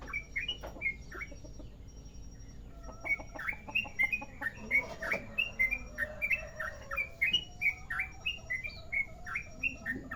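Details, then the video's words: Sooty-headed bulbul of the merapi type in long rolling song, clear chirpy whistles strung in rapid runs, with some clicking noise in the background. "Trucukan merapi ropel panjang"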